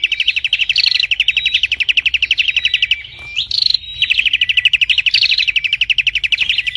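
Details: Prinia singing nonstop in dense, intense chatter: a rapid, tightly packed trill of high, sharp notes, about four per second, broken by brief rising whistled slurs and one short pause midway.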